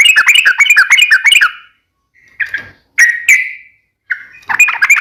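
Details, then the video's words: Yellow-vented bulbul (trucukan) in full gacor song with rapid ropel phrasing: bubbly, warbled notes in a fast burst, then short separate whistled phrases after pauses. "KICAU SUARA trucukan gacor NEMBAK ROPEL NGEPLONG"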